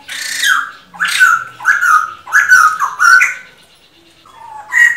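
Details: Male black-throated laughingthrush (bồ chao) singing, used to rouse a decoy bird: loud, rich, slightly harsh notes sliding downward, delivered in five quick bursts about half a second apart, then a quieter pause and a rising whistled note at the end.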